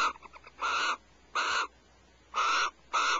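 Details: Just before 5 am on 1 January 2012, Starr Ranch barn owls pass a vole between them; a quick stutter of faint clicking notes leads into four loud, rasping screech bursts, each about a quarter-second long.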